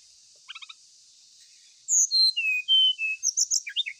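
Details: An ashy tailorbird sings loud, clear whistled notes that slide downward in steps, ending in quick high chirps. Faint soft clicks come earlier, and a continuous high-pitched hiss lies underneath.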